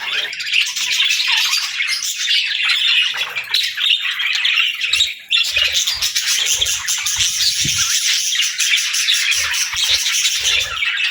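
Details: Morning chatter from a pet parrot beginning its daily routine: continuous shrill squawks and rapid chirps, with a short pause near five seconds, then soft low knocks behind the calling.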